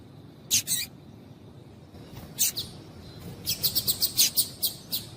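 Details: Female double-collared seedeater calling to stimulate males to sing: sharp, very high chips, an early pair, a lone note near the middle, then a rapid run of about eight chips at the end, over a low steady hum.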